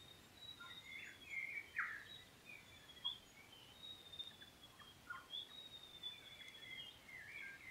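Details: At Kapiti, New Zealand, a grey warbler (riroriro) sings a thin, high, wavering trill that runs on with little pause, mixed with brief sweet chirps and short descending notes.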